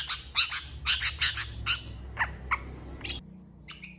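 Long-tailed shrike giving a scratchy, chattering song of harsh bursts about twice a second, ending in a few thin high whistles over a low hum.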